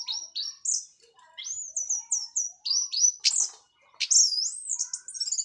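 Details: Clean, loud teler song from a Cililin orange-headed thrush done with moulting: a chain of bright whistled phrases stepping up and down, each note slurred, delivered in quick bursts with one short gap.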